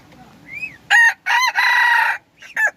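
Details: Hybrid junglefowl crossed from domestic chicken and wild jungle fowl, praised for crowing well, recorded 10/1/2021: one short rising whistled note, then a loud, harsh, broken crow in three strong bursts, the last held nearly a second, and a brief final note.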